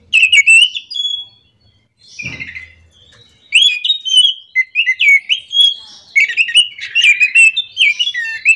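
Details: Orange-headed thrush in full morning song, bursts of varied whistled and warbled phrases with sharp upslurs, a brief pause with a low thump, then a long rapid rolling stream of notes.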